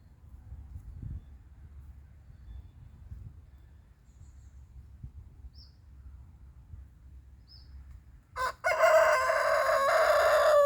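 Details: Rooster crowing in the morning to mark his territory, part of a run of 17 crows: after a long quiet stretch with faint distant chirps, a loud, harsh crow bursts in near the end and is cut off.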